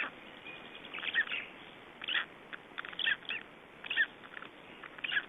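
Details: Three-day-old Black Stork chicks in Estonia, 2012: short, high chirping cheeps come in uneven bursts about once a second, some notes doubled, over a steady faint background hiss.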